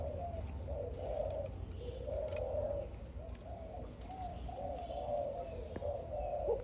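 A dove gives soft, low, rolling coos in a steady series of phrases over a faint low rumble.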